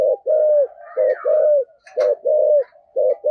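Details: Spotted dove giving rare 'giọng thổ sấm' 'thúc gù' coos: deep, even, rounded notes in pairs of one short and one longer slightly falling coo, about one a second, with faint twittering overhead.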